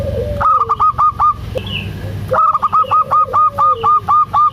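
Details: Local zebra dove in prolific calling, recorded to lure quiet doves into calling: rapid staccato series of short purring coos, two bursts of about eight to ten notes each, over softer lower drawn-out cooing and background hum.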